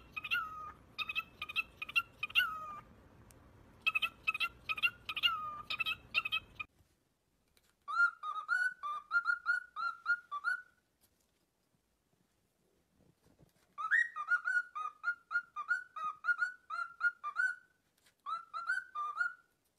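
A cockatiel gives bursts of clear, repeated whistled chirps with rich harmonics, broken by short pauses.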